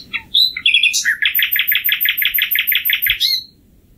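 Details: Song of a common nightingale, a summer singer heard by day and night near towns, raising its pitch over urban noise. A few scattered high whistles lead into a quick run of about a dozen loud repeated notes, closing with an upward flourish.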